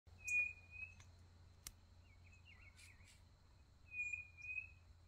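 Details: Quail singing on a rural smallholding: long, level, high whistles at the start and end, with a wavering whistle in between, some clicks and a low hum underneath.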